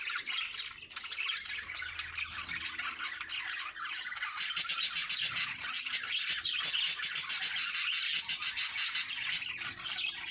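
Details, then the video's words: Lovebirds in breeding, a dense chorus of harsh squawks and chirps overlapping continuously, louder rhythmic chattering bursts in the second half, several birds calling at once. "Love Birds Singing | Love Birds Breeding"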